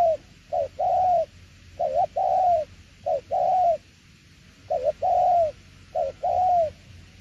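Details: Spotted dove, cooing in the "tiểu liên nước" manner: repeated low, mellow pairs, each a short note and a longer arched coo, in bursts with a brief pause midway, over a steady faint hum.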